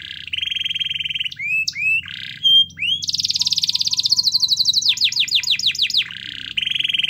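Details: Lively canary song played to coax a reluctant canary: buzzy steady notes and upward slurs, a dense rapid trill, then a run of descending sweeps and a final buzzy roll.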